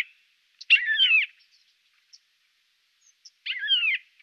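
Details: Siberian jay in Norway giving two harsh, mewing calls about three seconds apart, each a buzzy downward-bending note with a rising overtone, in otherwise quiet surroundings.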